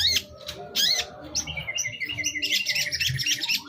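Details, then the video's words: Long-tailed shrike lure recording: a few harsh, squeaky bursts, then a steady thin whistled note overlaid with a rapid high trill at the end. "Masteran CENDET Kicau Pancingan cukup 1 Menit Auto Nyaut!!!"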